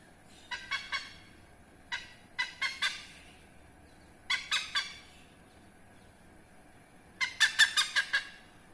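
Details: Hornbill behind a house in Indonesia, a rare protected species: raucous barking notes delivered in bursts of two to six, pauses of about a second between groups, quiet background.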